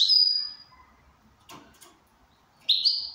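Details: ['Goldfinch in good condition: a long high note fades out, a faint click follows, then a short twittering phrase begins at the end.']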